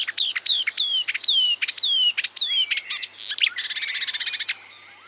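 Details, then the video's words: Marsh warbler song imitating other birds, opening with a series of loud descending whistled slurs repeated about every third of a second, then a fast buzzy rattle-like trill. "A marsh warbler (Acrocephalus palustris) imitating other birds"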